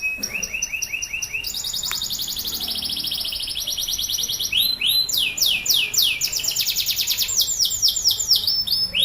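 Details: Male Atlantic canary singing loudly, used to prompt silent canaries and young birds to sing, including a chattering kermecek style: long rolling trills of rapid repeated high notes, changing speed and pitch, continuous throughout.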